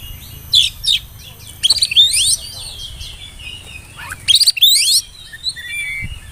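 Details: Whistling oriental magpie-robin song played as a lure for young birds, short bursts of varied sharp whistles and chattering notes separated by pauses, with a constant low background hum.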